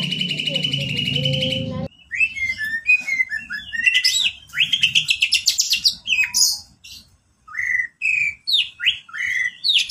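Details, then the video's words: A champion greater green leafbird sings a full isian masteran song. A steady, buzzy, high tone comes first, then rich fast phrases of swooping whistles and sharp chips, ending in short bright slurs after a brief pause. "Masteran Cucak Ijo Full Isian Burung Juara"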